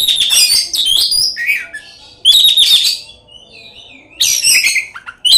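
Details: Oriental magpie-robin (kacer) in loud, chatty song full of imitated phrases (isian), played as a lure to make other magpie-robins sing and spread their tails. Rich bursts of varied whistles and harsh chatter, with a thin wavering whistle in a pause.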